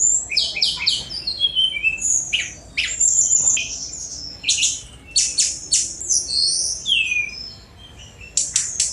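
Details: Sunda robin singing a fast, varied song of very high, scratchy chatter, piercing whistles and descending slurs, delivered in dense bursts with brief pauses.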